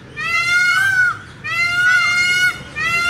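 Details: Peacock uttering loud, strained, harmonic calls back to back, each rising slightly at its end, with short gaps between the cries.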